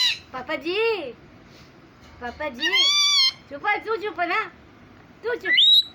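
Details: Pet parrot mimicking human speech and a cat's meow indoors: bursts of chattering voice-like syllables, one sustained arching mew in the middle, and a final rising, whistled squeal.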